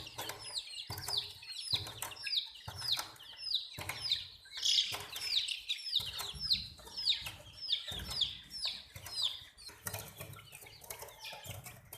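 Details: Baby chickens chirping nonstop: shrill descending peeps repeated rapidly by several chicks at once, forming a steady high-pitched chatter with occasional soft low knocks.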